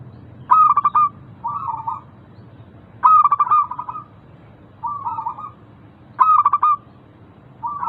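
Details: Local zebra doves in a lure recording to encourage lazy caged birds: three loud, pulsed cooing phrases about every two and a half seconds, each answered by a shorter, softer rolling coo.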